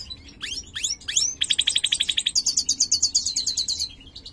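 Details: Caged mutant European goldfinch of the major form, colour mutation carrying CB, singing: sharp downslurred notes, then a fast rattling trill of repeated pulses that steps higher into a second rapid trill.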